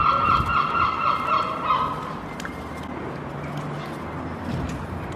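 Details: Two herring gulls fighting over a cigarette butt, giving a fast run of harsh, nasal, repeated notes for about two seconds, then only a low rumbling background.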